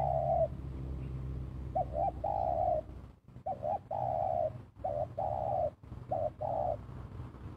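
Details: Spotted dove calling while used to lure birds; a short coo precedes a drawn-out steady coo, the pattern repeating several times over a low background hum.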